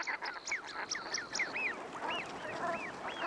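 Eurasian wigeon giving soft, clear whistles that rise and fall, several callers overlapping, with high thin notes and a quiet background murmur.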